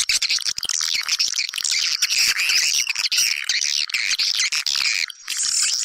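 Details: Lure sound for drawing swiftlets into a house: many swiftlets chattering at once in a thick, rasping, high wash of chirps. The chorus is steady and briefly thins near the end.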